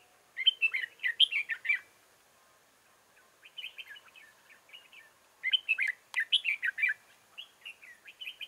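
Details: Red-whiskered bulbul used as a decoy bird for trapping in Chương Mỹ, Vietnam, recorded on 7 October 2018; bursts of rapid, warbled whistled phrases with chattering notes, two long phrase groups separated by a pause and softer notes between.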